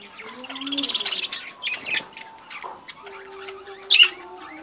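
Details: Budgerigars at a breeding colony: a fast buzzy rattle of rapid pulses followed by scratchy chirps and warbles, a steady low hum beneath and one loud squeak near the end.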